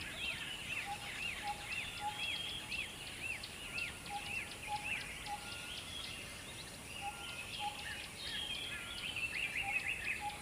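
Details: Chicks tended by their mother call with quick arched chirps repeated rapidly, while a lower short clear note sounds about every half second in the background.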